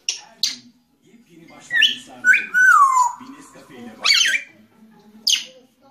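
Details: Grey parrot in a small room, mixing short harsh squawks with a clear whistle that slides downward, then breaks into louder rasping squawks at intervals of about a second, with quiet murmuring sounds underneath.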